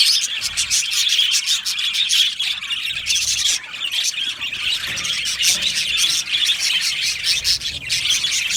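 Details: Many budgies in an aviary, a constant high twittering chorus with rapid chirps and scratchy squawks layered over each other, one brief dip in the middle.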